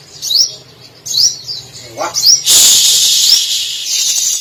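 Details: Brown-throated Sunbird (sogok ontong) in full voice, its song stuffed with imitated canary, cililin, sparrow and lovebird phrases. High rising slurred notes and one lower descending note, then a sustained loud high hiss over faint whistles.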